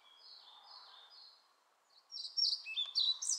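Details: European pied flycatcher (Ficedula hypoleuca) sings a brief, high, sweet phrase of quick, varied notes that rise in strength toward the end, over a soft background hiss.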